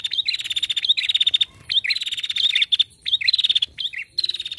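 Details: Busy calling by a female prinia: dense runs of fast, ticking trills interspersed with curled chirps, with only brief breaks.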